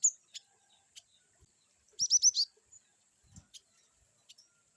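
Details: Glatik batu, the cinereous tit, with varied 'wucit' calls: four evenly spaced, ringing downslurred notes delivered quickly, surrounded by scattered soft clicks and ticks.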